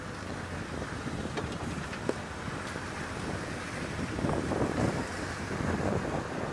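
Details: Outdoor wind rumbling against the microphone, with a few faint clicks and no animal voice.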